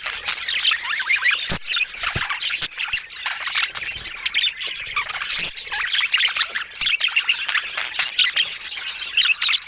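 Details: Dense, nonstop warbling chatter from a group of pet budgerigars of different mutations, many high twittering and scratchy notes overlapping, with scattered sharp clicks throughout.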